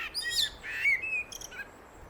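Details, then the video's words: Common blackbird singing a short phrase: squeaky high notes, then clear fluty whistles gliding down and across, with a brief thin twitter at the end. "sounds of the birds blackbird"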